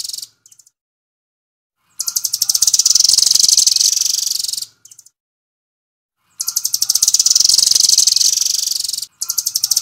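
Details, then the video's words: Doraemon-type nuthatch in full-speed song: two long bursts of rapid, high-pitched ticking notes, each about two to three seconds, separated by quiet gaps with a few soft isolated chirps. "Rambatan Doraemon Sniper Handal"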